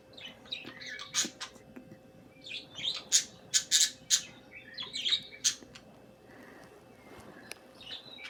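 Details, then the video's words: Pet budgerigars chirping and squawking indoors: a lively run of scratchy, harsh squawks and bright chirps in quick bursts, busiest around three to four seconds, trailing into soft warbling. "kissing, singing, and chirping sounds"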